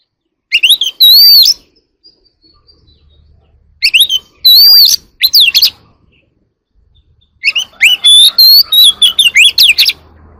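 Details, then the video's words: Early-morning singing from an Oriental magpie-robin, or kacer alam, an ornamental bird: three separate bursts of bright whistles, looping slurs and rapid chirps, divided by short pauses, with the last burst longest and choppiest. "Chòe than hót đấu"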